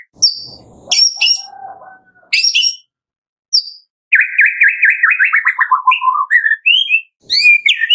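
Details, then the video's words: White-rumped shama song used as a lure to make other shamas sing: scattered high notes and harsh calls, then a long fast descending trill of looping notes ending in clear rising whistles. "Pancingan Murai Batu Pagi - Sore Hari 99,8% AMPUH buat pancingan murai batu pastol agar bunyi"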